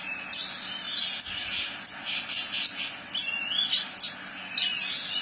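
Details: Branjangan song in the ngerol style: very high, buzzy chirps packed into a rolling run, then short slurred whistles spaced apart.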